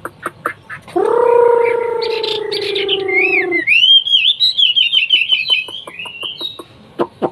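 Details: Hwamei, a songbird from China, singing: a loud, sustained nasal note with layered tones, then a bright warbling run of quick whistled notes wavering up and down, with scattered sharp clicks.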